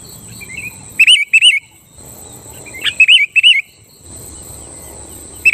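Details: Sooty-headed bulbul in lively song meant to provoke rival bulbuls into singing: two short bursts of bubbly, looping whistled notes about two seconds apart, over a steady high insect-like whine.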